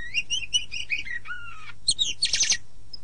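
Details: Kacer, the oriental magpie-robin, in tutor song for morning or evening training; a string of clear paired whistles, a long lower falling whistle, then sharp high notes and a rough buzzy rattle.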